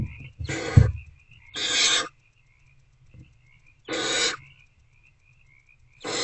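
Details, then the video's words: Owl chicks in a nest box at 8:13 pm, 26 February 2024, hungry and attempting again to eat a rodent: four hissing screeches with near-silent stretches between, and a thump at the start. "Hungry Owlets Try Again to Eat The Rodent."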